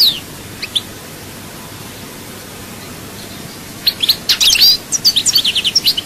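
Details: After several seconds of near silence with a few faint chirps, a Souk Ahras goldfinch breaks into a quick burst of bright, high twittering notes.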